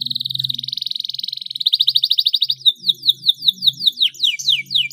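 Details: Singing canary, a 'gacor' lure song for stimulating other canaries: a long, fast, buzzy trill that speeds into louder pulses, then a series of quick downward-sweeping whistled notes, with a faint low hum beneath.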